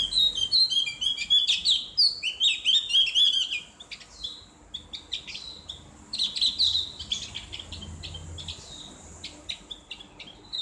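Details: Ngriwik-style song of a Javan grey-throated white-eye, loud and open, used as therapy for kept birds: dense high twitters and slurred whistles for four seconds, then sparser chirps and short bursts.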